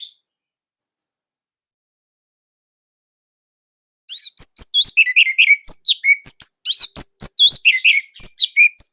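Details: Indonesian orange-headed thrush with a loud, tight song of unusual type. About four seconds of near silence, then a dense, nonstop run of sharp chirps, clicks and varied whistled notes, rapidly repeated with only tiny breaks.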